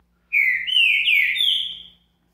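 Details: Captive green-winged saltator (Saltator similis) singing in the morning on its second day of handling: one loud, clear whistled phrase of slurred notes, rising then falling, lasting nearly two seconds, with a faint hum behind.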